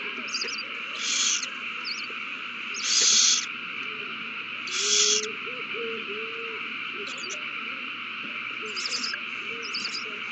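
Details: Owls at a nest during a prey frenzy after a mouse is found and passed from one bird to the other, 21 March 2020; three harsh hissing bursts about two seconds apart, faint twittering notes, over a steady electrical hum.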